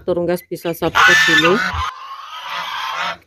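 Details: Domestic geese, described as very noisy, give a quick run of loud, nasal honks, then one harsh, rasping drawn-out call that fades into a breathy hiss.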